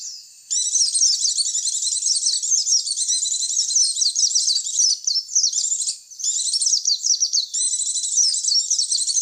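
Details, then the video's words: White-eye lure sound used to attract other white-eyes: dense, fast, high twittering of rapid chirps and trills, nearly continuous with a brief pause at the start and another near the six-second mark. "Suara pikat pleci"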